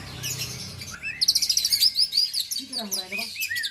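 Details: Kacer, an oriental magpie-robin, from Aceh, singing a varied burst of high chattering trills and whistled slurred notes, with a lower rising-falling phrase mid-clip and a faint steady tone behind.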